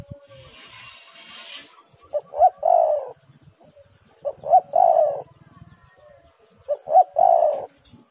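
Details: Spotted dove used as a lure so other doves start calling. Three-part cooing phrases: two brief hooting notes and a drawn-out throaty coo, repeated about every two and a half seconds. A short hiss comes at the start.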